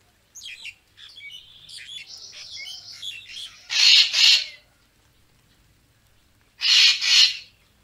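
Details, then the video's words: Racket-tailed treepie calls, a recording used as a lure for bird photography: a run of soft, varied chattering and whistled notes, then two loud, harsh, rasping double bursts about three seconds apart. "เสียงนกกาแวน คมชัด Racket-tailed Treepie sound"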